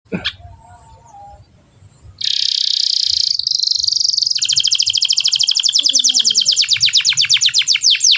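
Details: Canary singing in gacor cengkok mewah style: after faint opening notes, a loud bright buzzy phrase bursts in, then a long rapid trill of high repeated notes, evenly spaced and slightly falling, carrying through to the end.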